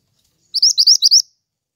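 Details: Pied triller singing vigorously, used for bird luring and songbird tutoring: a short rush of about five clear, rising whistled notes packed into under a second, then silence.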